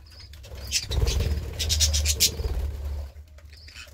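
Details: Budgerigar chattering in short, scratchy, high chirps and warbles clustered in the middle of the clip, with softer whistled notes at the start and end over a steady low rumble.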